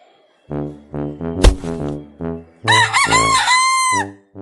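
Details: A frightened pet rooster gives a series of harsh, nasal squawks roughly twice a second, then breaks into a long, loud, wavering cry that rises and falls before fading.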